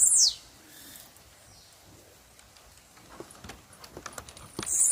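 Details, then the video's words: Blue-black grassquit in the wild: a sharp, high, down-slurred buzzy note at the start and another at the end, with soft clicking and tapping sounds in between. "Tiziu na natureza"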